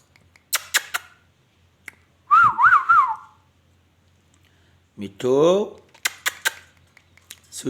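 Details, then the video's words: Talking rose-ringed parakeet from Pakistan: scattered sharp clicks, then a wavering, warbled whistle, and later a short harsh, voice-like phrase, followed by more clicks, indoors. "amazing ringneck parrot magical king parrot talking"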